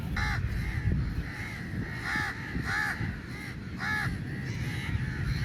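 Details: Crows in a large group fighting for meat: harsh, nasal caws come in short bursts, some doubled, repeated several times over steady low-pitched background noise.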